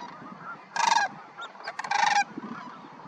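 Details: Sandhill cranes flying in to land beside a large ground flock at Pixley National Wildlife Area, Central Valley, California, December 19: two loud rolling, rattling bugles about a second apart over a low murmur of distant cranes.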